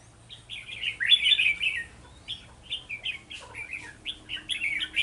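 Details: Red-whiskered bulbul decoy in a trapping setup, 11 November 2018, giving a loud warbled burst followed by a series of short clipped chirps repeated about once every half second.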